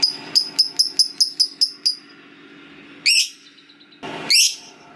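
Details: Lovebird ngekek phrase: eight quick, evenly repeated sharp high chirps in under two seconds, then a pause and two loud harsh rasping squawks.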